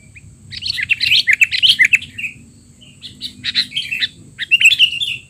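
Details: Sooty-headed bulbul in noisy, excited voice, used to tutor untrained young bulbuls: a fast jumble of chirps and warbled notes for two seconds, a short pause, then more chattering and a slurred whistle, with a faint high hum.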